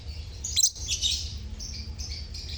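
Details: Lovebird colony chirping, used to prompt silent lovebirds to sing; high, thin twittering notes and a brief sharp squawk near the start, steady chatter of several birds over a low hum.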